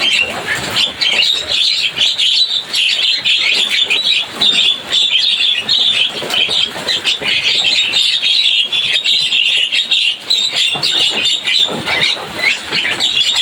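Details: Javan myna chatter forming a continuous noisy wall of high chirps and squeaks, many overlapping calls with no pauses, lively and crowded throughout.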